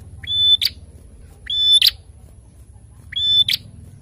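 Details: Prinia singing in the narung style, described as lively and vocal: three phrases, each a short rising note, then a long level high whistle ending in a harsh buzzy burst, about every 1.5 seconds. Faint low hum behind.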